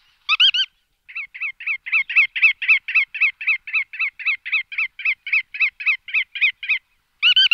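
Bar-tailed godwit giving a rapid run of nasal, slightly reedy notes, about four a second, framed by louder, fuller calls at the start and end.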